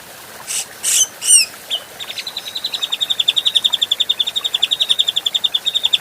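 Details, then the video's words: Adult grey-cheeked bulbul, recorded as clear training material for other birds, opens with three loud harsh chirps, then a long, fast, steady trill of repeated high notes that grows louder, nearly three notes per second. "Masteran Burung Cucak Jenggot Paling di Cari Mp3 Jernih Bisa di Coba Pasti Respon"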